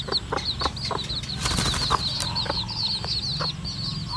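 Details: A red junglefowl hen takes her weak-blooded chicks out foraging in the wild. Thin, high, falling peeps repeat rapidly between sharp clicks and rustles, with a brief burst of broadband noise in the middle.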